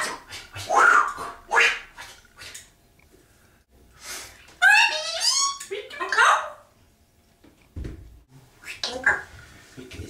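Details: Pet African grey parrot indoors on a Saturday morning, blathering while its owner showers: speech-like chatter in short bursts, then a run of whistled, swooping harmonic notes with pauses between phrases.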